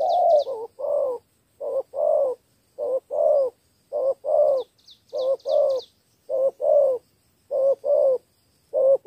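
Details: A Cà Mau spotted dove sings 'thổ 3 âm' three-note cooing. Quick paired coos repeat densely, about seven pairs in nine seconds, while a small bird chirps thinly and high in the background.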